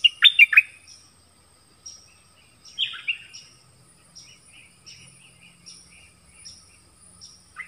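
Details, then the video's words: Nok dok taeng in a singing contest with wild birds: a loud cluster of sharp chirps, another burst after a pause, then short soft notes repeated steadily about twice a second. "เสียงนกดอกแตงEp.24 ดวลเพลงเบิ้ลกับนกป่า"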